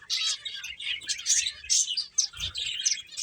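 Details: Quick, high chirps tumble out in a busy stream as several finches play, the notes overlapping in a lively twitter.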